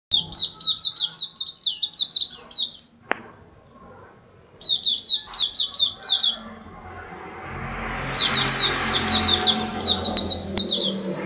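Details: Oriental white-eye in chatty, unusual song: rapid series of high, thin, twittering chirps in bursts of several seconds, separated by pauses, with a soft background murmur and low hum.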